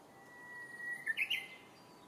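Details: A Japanese bush warbler, heard but not seen in Senshu Park, Akita City, on 7 May 2017, gives a level whistled note that breaks into two quick bright trills. Faint hiss sits behind it.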